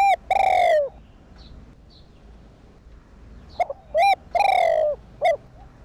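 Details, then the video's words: Spotted dove coo, played to get caged decoy doves calling. A long falling coo sounds, then silence, then a second phrase with short hoots, another sliding coo and a clipped closing note. "Cu gáy kích bổi / chim cu gáy kích bổi gáy cả ngày/tiếng chim cu đất gáy kích bổi tập mồi hiệu quả"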